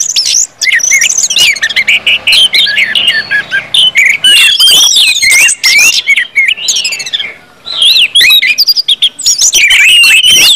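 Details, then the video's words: Long bout of ngeplong song from an orange-headed thrush, used to coax other birds into song: rich warbling phrases, zigzagging whistles and chatter, with a short lull near the middle before the torrent resumes. "KUMPULAN ANIS MERAH NGEPLONG BIKIN CEPAT BUNYI DAN GACOR ANIS MERAH"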